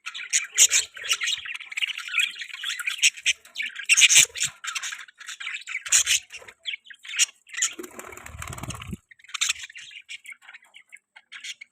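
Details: Budgerigars in an outdoor aviary keep up busy chattering chirps and short scratchy squawks, with bursts of dense high twittering and brief quiet gaps between them.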